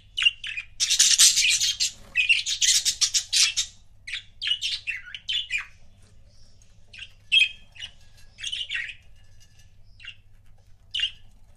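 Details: Pet budgerigar couples chattering in quick bursts of bright, high chirps and scratchy warbles, dense in the first few seconds, then thinning to scattered single tweets.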